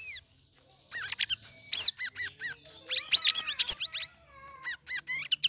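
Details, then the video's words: A caged sooty-headed bulbul, three weeks into ombyokan conditioning, sings ngeriwik ngeplong: a brief pause, then busy chattering of repeated curved whistles and squeaky chirps that builds into a dense burst before tapering into looping notes. "CUCAK RAWIS NGERIWIK NGEPLONG"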